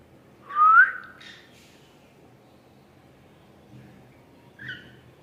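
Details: Gray and lutino cockatiels: one clear rising whistle with a short follow-on note, then a faint, brief, higher whistled note near the end, amid soft background rustle.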